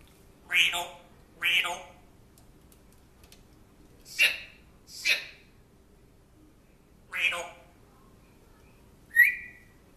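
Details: African grey parrot, a pet thought to have lived with a dog at a previous home, talking in a man's voice: six short bursts of speech-like sounds spaced a few seconds apart, the last a brief rising whistle, in a quiet room.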